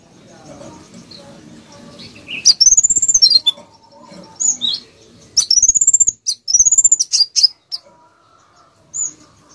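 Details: Konin bird singing steadily, used to tutor other birds, in tight rapid bursts: high, arched series of quick chirped notes, each burst lasting about a second and repeated several times, with softer scattered calls and faint background murmur between.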